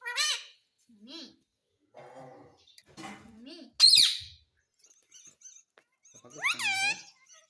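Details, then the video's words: Talking ringneck parrot trained to say "mummy", giving soft murmured notes and quiet chatter, one sharp scratchy burst in the middle, then a loud arching, nasal harmonic phrase toward the end. "Parrot Sound _ Mummy Bolne Wala Parrot _ Talking Parrot _ Ringneck Parrot"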